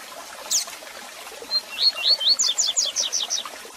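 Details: One full Tui Tui Zel Zel phrase from a double-collared seedeater, sung to train young birds. After a high squeak come several upslurred whistles, then six quick, descending double notes in even rhythm.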